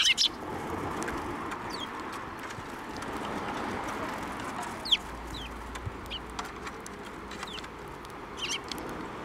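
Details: Sparrows coming to be fed at a Tenmangu shrine on 19 April 2024, heard as scattered, brief, sharp chirps at the start, the middle and the end, separated by long stretches of low outdoor rumble.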